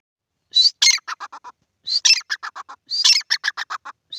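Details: In a field, a pair of grey francolins gives three loud phrases. Each phrase is a high rising whistle followed by a fast string of harsh, clipped notes that fall slightly in pitch.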